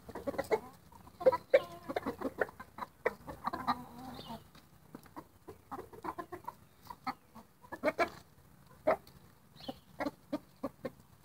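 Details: Roosters making what sound like happy noises: a steady run of short, throaty clucks and a few drawn-out croons, irregular and overlapping, with no full crow.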